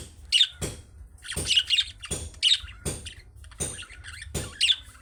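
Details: Young budgerigars giving calling chirps that prompt other pet budgies to reply: loud, scratchy high chirps repeated in uneven bursts about every second, some doubled, over a steady low hum.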